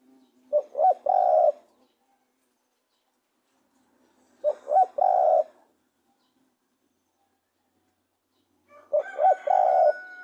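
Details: Spotted dove cooing three times at roughly four-second intervals, each a short note, a double coo and a long level coo. A higher harmonic crowing-like sound joins the last phrase.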